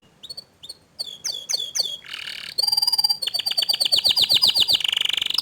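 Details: Young canary singing in response to a loud, vigorous canary: a few spaced high chips, then fast repeated notes, a harsh buzzy burst, a steady high trill and rapidly repeated swooping notes to the end.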